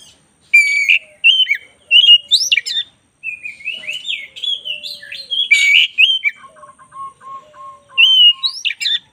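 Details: White-rumped shama of the black-breasted form in long continuous song: varied whistled and buzzy phrases, a rapid run of repeated chipping notes, then a loud whistled burst, with a faint low steady tone behind.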